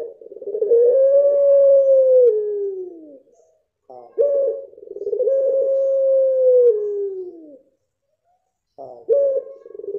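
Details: Puter pelung dove singing two long, arching, drawn-out coos about four seconds apart. Each opens with a quick stuttered note, swells to a steady tone and glides down. A third phrase begins at the end.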